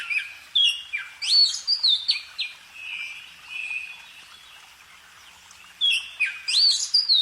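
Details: Bird song opening with energetic swooping whistles, easing into a soft steady warble, a quiet gap, then another lively run of rising notes.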